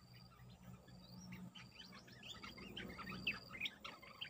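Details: Bulbul luring call used for trapping: a run of short chirpy, warbling notes about three per second, rising and falling, over steady background hiss and low hum.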